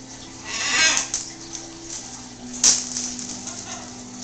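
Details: A pet green-winged macaw babbles in two harsh, raspy bursts, a longer one early and a short sharp one later, over a low steady hum; it also talks and laughs, saying "hello", "bye" and "I love you".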